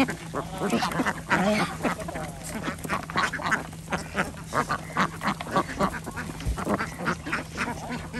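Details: Flock of farm ducks being fed on a village organic duck farm in Andhra Pradesh; dense, repeated harsh quacks overlapping continuously with general farmyard noise.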